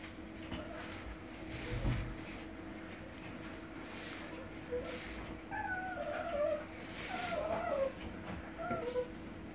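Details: An Australian ringneck in the UK gives a few wavering, mewing calls in the second half, rising and falling in pitch. Soft thumps and low room noise come before them.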